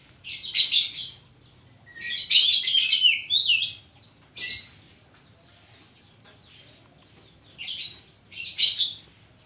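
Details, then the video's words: Oriental magpie-robin (kacer) singing an 'isian' song full of mimicry: loud harsh buzzy phrases mixed with sweeping whistled slurs, delivered in bursts with pauses between them. "burung kacer gacor isian koslet"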